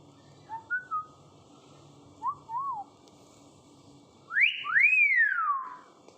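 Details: Common hill myna learning to talk, starting with soft short whistled notes and two quick wavering whistles, then two loud, bright whistles that sweep sharply up and glide down.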